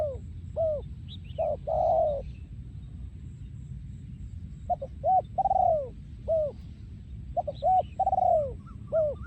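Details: Breeding male spotted dove, 2023, repeating its โยนคูอ่าง style song. Phrases of several short hooked coos end in a longer, louder coo, given about three times with pauses between. A low rumble continues in the background.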